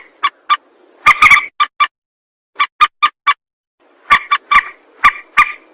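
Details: Rail lure recording with scattered sharp clucks, a dense harsh burst, then gaps of silence before a final run of irregular nasal notes.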